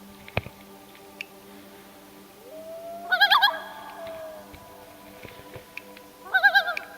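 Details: Common loon, probably the male of a family with downy chicks, gives a quavering, laughing tremolo in two bursts a few seconds apart over a steady low motor-like hum, on a lake in Algonquin Park, Canada, in summer.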